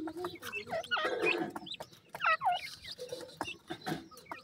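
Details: Black francolin chicks kept in captivity and described as getting weak give thin peeping calls, short falling whistles overlapping in a busy chorus, with low murmuring and tapping beneath.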